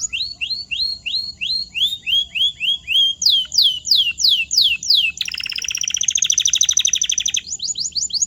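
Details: Canary song for training silent or muted birds: evenly repeated slurred whistles speeding up and growing louder, then a harsh buzzy rapid trill, ending with quick sweeping notes.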